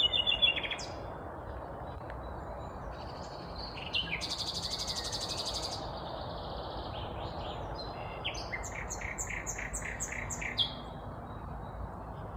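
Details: A vagrant Common nightingale, heard but unseen on the morning of 19 May 2021 in Kvarnbo, a suburb of Uppsala, Sweden, sings hearty varied phrases: high chirps, a harsh buzzy burst, then a rapid run of descending whistles, over low rumbling.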